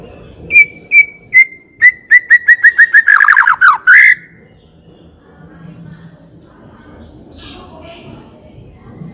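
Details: Tembakan burst from a persistently singing white-rumped shama of varied full isian style: evenly spaced whistled notes speed up into a rapid chattering run lasting about four seconds, followed by near silence and one faint high phrase.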